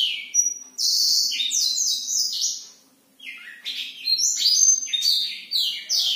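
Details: Black-throated canary singing at night, a fast continuous warble of high buzzy and whistled notes, sweeping and trilling, with a brief pause midway before resuming.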